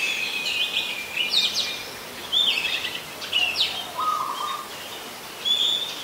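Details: Oriental magpie-robin, a common resident bird, singing at Ubon Ratchathani, Thailand, on 27 December 2020: clear whistled phrases and sweeping notes mostly high-pitched, with one lower steady whistle near the end, over a faint rural background hiss.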